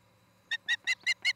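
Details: Osprey at a nest near Charlo, Montana, picked up by a nest camera on an August 2018 evening: five short, sharp whistled chirps in quick succession over a faint steady low hum.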